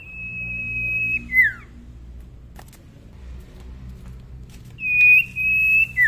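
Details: Juvenile tame common iora, still quiet-voiced: a long level whistle dropping into a downslur, a pause with a click, then another long whistle ending the same way; low hum underneath.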